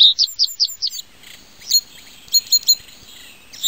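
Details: A common reed bunting in Europe, in the Jura, sings a short phrase: four quick, evenly spaced high chirps, then a pause and a few sharp, slightly buzzy notes.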